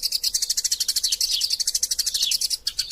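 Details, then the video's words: Eurasian tree sparrows quarrelling, vigorous chatter kept as master sound for caged songbirds: a quick, even series of sharp high chirps, about eight per second, breaking off near the end. "Burung Gereja Tarung Gacor Passer Montanus passeridae Eurasian Tree Sparrow erasia suara masteran"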